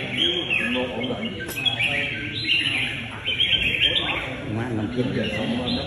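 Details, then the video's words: Red-whiskered bulbul with a strong fighting temperament, singing in a contest: bright, quick chirped and whistled phrases that rise and fall, repeated in short bursts, while a man talks and faint background noise continues underneath. "Chào mào với nết đấu xứng đáng gọt"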